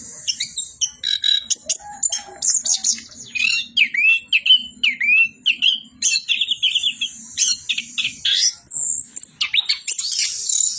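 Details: Orange-headed thrush in vigorous song, a long run of rapid, repeated upslurred whistles and chattering trills that rarely pauses, with a high squeaky note near the end.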